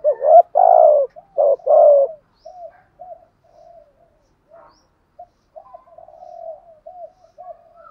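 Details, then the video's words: Spotted dove decoy giving the urging 'gù thúc' coo used to provoke other doves: two loud deep coo phrases, each a short rising hoot and then a long falling coo, then scattered soft short notes. "Tiếng chim cu gáy gù thúc bài bản, tiếng chim cu gáy kích bổi và tập mồi nghe rất xiêng gáy"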